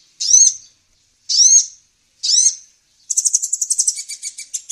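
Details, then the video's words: Three separate high, arching whistled chirps about a second apart from an olive-backed sunbird used for luring birds, followed by a fast, buzzy stuttering trill. "Pikat burung kolibri ninja ampuh"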